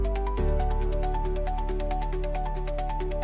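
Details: Electronic music with a steady beat and a repeating melody plays, and no animal sound is present.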